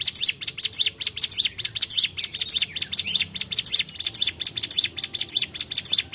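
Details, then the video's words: Bar-winged prinia (cigun) singing lively: high, sharp chirps in quick clustered bursts, the phrases repeated steadily about every half second without pause, on a quiet background. "CIGUN GACOR"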